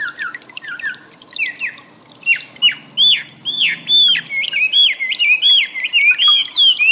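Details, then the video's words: Wambi song as master training audio for cage birds: soft short whistles, then loud hooked downslurred notes repeated about twice a second, merging into a running whistled sequence. "suara burung wambi || masteran audio pancingan"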